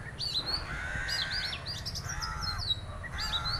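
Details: Oriental magpie-robin, one of a visiting pair, singing high slurred chirps and twittering notes, with lower drawn-out whistled tones beneath and constant low background rumble.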